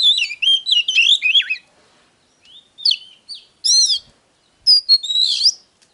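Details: Oriental magpie-robin singing to stir a male bird: a fast tumbling warble of wavering whistles, then separated loud phrases with slurred and harsh notes after a short pause.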